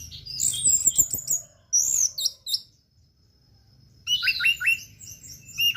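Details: Orange-headed thrush in 'teler' mode as a tutor recording: high sweeping notes and chirps, a pause of near silence, then a burst of rapid stuttered whistles.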